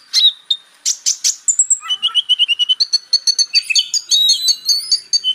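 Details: Purple-throated sunbird (kolibri ninja) song used as training material for magpie robins; high, thin twittering with short whistled notes, buzzy trills and rapid repeated chips, densely packed throughout.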